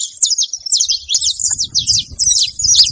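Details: Canário-da-terra, the saffron finch, giving a brief burst of high, sharp twittering chirps in quick succession, over a soft low rumble.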